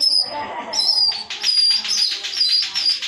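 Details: Long-tailed shrike singing loudly in 'tembakan' style with 'isian' notes, a tutor recording for competition birds: sustained, strident high whistled phrases that run almost without pause, with harsh broadband edges.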